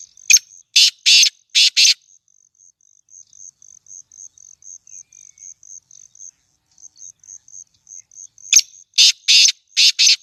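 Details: Captive black francolin of the chakri type, offered for sale. Loud, harsh, grating bursts come in a quick series at the start and again at the end, with a steady high cricket chirping throughout.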